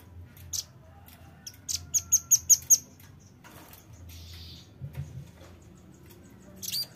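A velvet-fronted nuthatch gives a quick run of five or six hard, very high 'chit' notes. Scattered sharp clicks and a brief buzzy burst follow.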